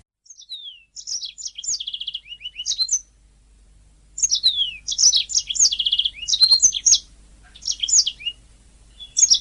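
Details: {'caption': 'Canary singing on a master recording used to train songbirds: bursts of high, rapid chirps and descending whistles with quick trilled runs, separated by short pauses, in a clean recording with no other sounds.'}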